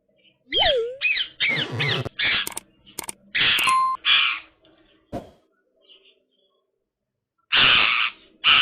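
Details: A female pet Indian ringneck parrot (rose-ringed parakeet), playing with her favourite toy, gives a few swooping whistles, then harsh, raspy squawks; sharp clicks and rattles from the toy sound between calls.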